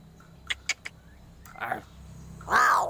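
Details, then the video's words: Crow with unusual sounds: a few sharp clicks, a brief rough note, then a loud harsh, hoarse call closing the recording. "SUARA ANEH Burung GAGAK"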